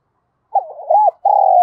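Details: Spotted dove decoy bird calling wild doves in the morning, thổ-style voice: a run of quick low hollow coos followed by one long steady drawn-out coo, in a quiet setting.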